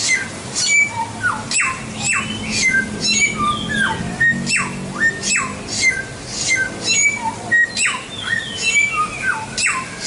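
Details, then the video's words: White-rumped shama song for training other songbirds. A rich, rapid run of whistles mixes descending swoops, clear steady notes and high buzzy flourishes, continuing almost without pause for ten seconds. "Masteran Suara Samyong"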